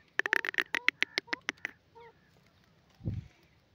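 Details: Grey francolin calling in a fast, tumbling series of about a dozen loud harsh notes, then a faint note and a low thud near the end.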